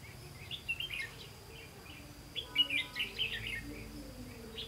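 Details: Red-whiskered bulbul used as a trapping decoy on 18 September 2016; short whistled chirps early, then a busier burst of bright warbling notes in the middle, with faint humming tones underneath.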